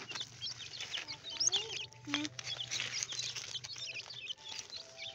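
Partridge chicks keep up a dense, overlapping chorus of thin, high peeps and chirps, with a low steady hum underneath.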